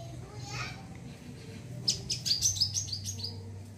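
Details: Wiceh bird chattering in crecet style, used for training and calming other birds. A short burst of rapid, high, clipped chips follows a quiet start, with steady low hum underneath.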